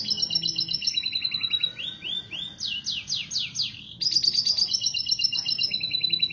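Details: Breeding-season canary song meant to stimulate mating; steady high trill, a faint long glide, a run of loud downward-sweeping notes, then a fresh bright rattling trill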